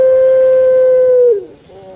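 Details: Captive pelung-type puter turtle dove holding one long, smooth, level coo for over a second, ending in a short downward slur, then quiet, with a faint murmur after it.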